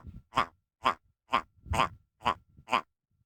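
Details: Territorial wild red grouse calling up close on Kinder Scout above the Snake Pass, Peak District, UK: six harsh, nasal, barking notes delivered evenly about every half second, with a low rough grumble beneath.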